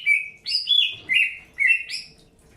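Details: Greater green leafbird during the early pairing process: alternating whistled notes, lower level slurs and higher rising ones, about five phrases in quick succession.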